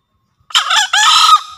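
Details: One crow from a Javan green junglefowl, used to tutor newly caught or reluctant birds and to lure wild ones: a husky short note, then a louder sustained rasping note ending in a faint fading whine.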